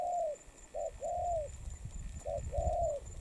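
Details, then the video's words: Spotted dove, a moulting wild-caught adult bird from Đồng Pha, cooing in low hollow tones: a short note followed by a longer, drawn-out slurred coo, the two-part phrase given twice in about three seconds over faint low rumble. "Bổi Đồng Pha tốt tiếng , liền lẹ , bài khá , gù tốt"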